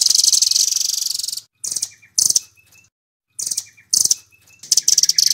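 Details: Velvet-fronted nuthatch, Doraemon type, singing in nembak style for training songbirds: a fast high trill, then well-spaced bursts of sharp, buzzy chips with soft lower notes between them, ending in another quick rattle.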